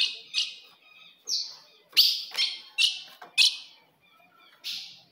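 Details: Ultramarine grosbeak fogo de fêmea, a female call used against a male: around seven crisp, slightly falling chips, a tight cluster in the middle, then one last note after a pause.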